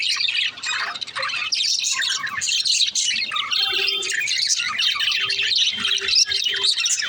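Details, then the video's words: Female budgerigar (parakeet) chirping: a dense, unbroken high twittering chatter of rapid squeaky notes, broken now and then by short lower tonal peeps. "parakeet chirping sound"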